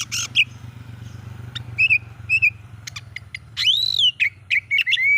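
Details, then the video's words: Oriental magpie-robin singing to provoke rival magpie-robins: sharp clicks, short whistled notes and a loud rising-falling arched whistle followed by quick chips, over a steady low hum. "bikin Kacer Lain ikut emosi coba buktikan dengan suara ini"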